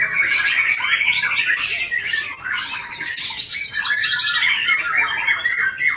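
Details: White-rumped shama singing: a dense, fast run of varied whistles, chirps and trills packed closely together, shifting in pitch throughout with hardly a pause.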